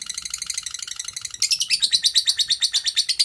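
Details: Lovebird in the long chattering 'ngekek panjang' style, used as a training recording for other lovebirds. It gives a rapid, metallic stream of repeated notes that grows louder and harsher halfway through, about three pulses per second.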